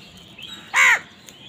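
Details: Crow fighting over food gives a single loud harsh caw, a rough banded call lasting about a quarter second and arching downward, against quiet background hiss.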